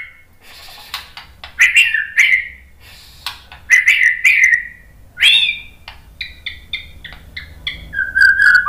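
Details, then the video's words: White-rumped shama song of varied phrases: rich whistled notes around mid pitch, slurred and warbling, with short buzzy bursts and a run of clipped repeated notes near the end, separated by brief pauses. "MASTERAN MURAI BATU biar ikut EMOSI NYAUT GACOR BONGKAR MATERI TEMBAKAN"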